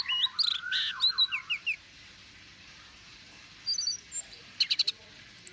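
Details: Orange-headed thrush lure song for provoking birds: a rich warbled phrase with trills at the start, a pause, then scattered high chips and a short rapid stutter.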